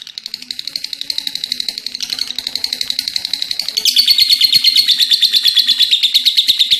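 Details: An energetic lovebird's extended ngekek: a fast, buzzy, high-pitched rattle of repeated notes that shifts abruptly to a louder, shriller stretch partway through and keeps going steadily to the end.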